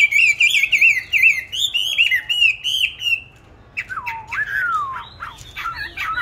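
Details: Caged songbird, bought 19 May 2020, on stable feed, singing in any place and at any hour. Bright, high, warbling phrases run without a break for three seconds, then after a brief gap come loud, sweeping, chattering notes that dip and rise.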